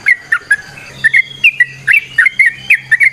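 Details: Straw-headed bulbul (trucukan) singing in the ropel, variasi, nrotok and ngecuplik styles: short, bright whistled notes in quick, uneven bursts, some slurred up or down, over a steady low hum.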